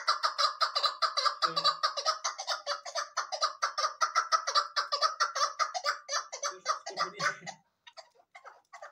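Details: Female chukar partridge kept as a hunting bird, calling in a fast, steady run of harsh clucking notes for about seven seconds before trailing off into a few scattered notes; brief human laughter comes just before.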